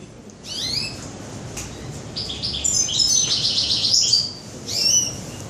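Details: Goldfinch song in a bird shop, 21 June 2015: thin, very high twittering trills and sparkling notes in short bursts separated by quieter pauses, over a low indoor hum.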